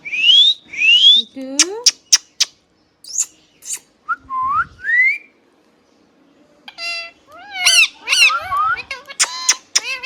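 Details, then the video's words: Tame green ringneck parrot indoors, alternating rising whistles, clipped chirps and bending speech-like notes in busy irregular bursts, roughly two per second. "Green Parrot Natural Sound | Hand tame Parrot Talking video | Mithu Tote Ki Awaaz | Talking Parrot"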